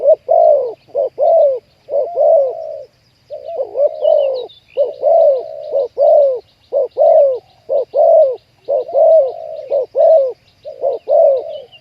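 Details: Spotted dove coos during trapping of wild doves: a steady run of low, rounded short-long note pairs, about one per second, with faint high chirps from other birds in the background.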